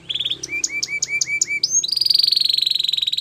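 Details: ['Russian canary singing in a training recording: a short buzzy phrase, a run of paired sweeping chirps, then a long, fast, rattling high trill, with faint low background noise.']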